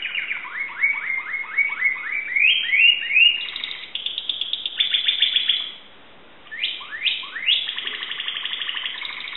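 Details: Greek Timbrado canary song: rapid runs of falling notes, buzzy sustained rolls, a short pause, then more sweeping notes and a dense trill.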